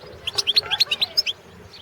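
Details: European goldfinch, Carduelis carduelis balcanica, in a 2017 competition recording: a brief, even run of about ten high, bright chirped notes delivered quickly in one phrase.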